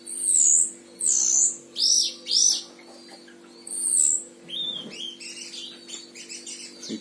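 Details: Vigorous singing from a caged oriental white-eye of the Himalayan form, kept in Sragen, Central Java, Indonesia as a tutor bird. Clear, high, slurred whistled notes in separate bursts give way to a faster jumble of twitters. A low hum runs beneath.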